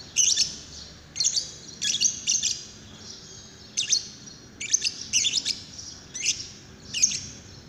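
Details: Lovebird, called paud, used as a lure to prompt another lovebird to sing: bursts of high, buzzy chattering chirps in short clusters roughly every second, with quiet pauses between.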